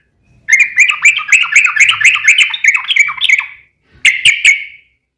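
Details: Sooty-headed bulbul, kept bird, singing a long rapid rolling song used to lure other bulbuls into answering: dense run of quick chirped notes around mid-high pitch for about three seconds, pause, then three sharp loud notes.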